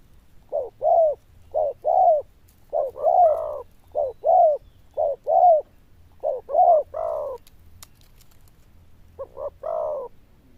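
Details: Zebra dove delivering fast, bell-toned paired coos, some later notes fuller and slightly rising, repeated in a steady series with a short pause near the end.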